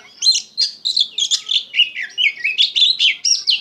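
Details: Oriental magpie-robin singing gacor style, full of emotion: a fast, unbroken string of loud, clear whistled notes and slurs, roughly three to four per second, rising and falling in pitch.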